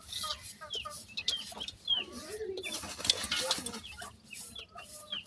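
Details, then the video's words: Grey francolin chicks, dakhni teetar, peep in high falling notes amid heavy scratchy rustling, with a lower drawn-out sound in the middle. "partridge chicks,dakhni teetar lover bird baby"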